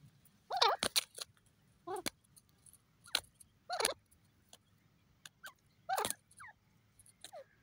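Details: Grey francolin (teetar) calling in short, wavering, harmonic bursts that sweep up and down, several in quick succession, with sharp clicks and knocks between the calls and a steady low hum underneath.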